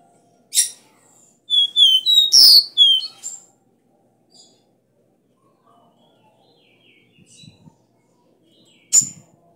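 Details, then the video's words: Copper seedeater (caboclinho) song used to train a caged caboclinho, described as strong 'bitola' song with three notes, 'dó ré mi': a sharp high burst, then a run of clear descending whistled notes, a faint pause and one more sharp note. "CANTO DO CABOCLINHO VERDADEIRO - DÓ RÉ MI - Pra foguear seu caboclinho"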